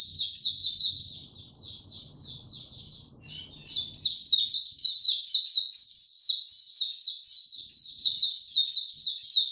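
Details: White-eye (mata puteh, Oriental white-eye) in tiong aw song, recorded 25 January 2022 after sleeping late: a continuous stream of high, rapid twittering that grows louder and steadier, notes about two per second, a low hum early on.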